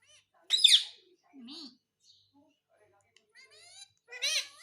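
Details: Pet parrot talking indoors in a small room, asking for roti; a loud, harsh, rising-and-falling voiced burst, then a faint lower warble, and another strong ringing, wavering squawk-like phrase near the end.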